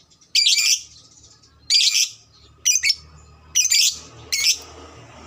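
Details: Lovebird call meant to provoke quick chattering from other lovebirds: loud, raspy high squawks in short bursts of about half a second, spaced one to two seconds apart, over a low murmuring background.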